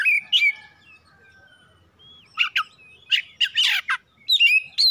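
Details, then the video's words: Domestic Oriental magpie-robin delivering a mix of whistled slurs and harsher, scratchy chattering notes in irregular bursts, ending on clear rising whistles. "PANCINGAN CEPAT PAGI SIANG MALAM KACER RUMAHAN CEPAT GACOR"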